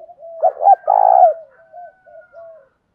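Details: A single loud coo from a decoy spotted dove in the fight-provoking 'thổ pha' voice: two short notes, then a long rough note, framed by faint low murmurs.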